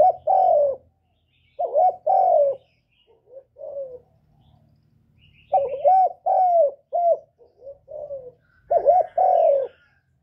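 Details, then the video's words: Decoy spotted dove calling, urging and cooing to stimulate other doves: phrases of rich, hollow coos alternate with quieter, low murmured cooing notes over about ten seconds, with no other sounds. "Tiếng Chim Cu Gáy Hạp Bổi Gáy Gọi + Thúc+Gù kích bổi mau nổi"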